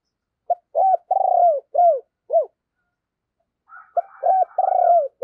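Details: Decoy spotted dove singing to draw wild birds: repeated phrases of short arched notes and a longer pulsing coo, the pattern given twice with a pause between, plus faint higher coos from another dove.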